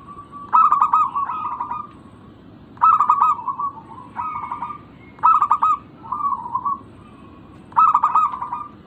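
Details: Local zebra dove, played as a lure to prompt other doves to call, giving a stuttering, rolling coo phrase of quick clipped notes that ends in a steady hum. The phrase repeats about every 2.5 seconds over faint low background rumble.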